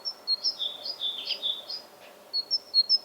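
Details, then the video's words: Great tit singing bright, high whistled notes alternating higher and lower in quick two-note phrases, like the "teacher-teacher" spring territorial song of males, with a short pause midway and faint background hiss. "What Do Great Tits Sound Like?"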